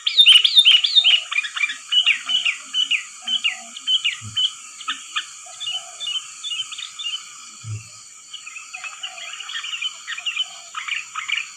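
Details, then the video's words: Sooty-headed bulbul, a lure sound for trapping: long stretch of quick, bright, slurred chirps and chattering phrases, loud at first and then softer, with two faint low knocks. "Suara pikat burung kutilang || kutilang gacor"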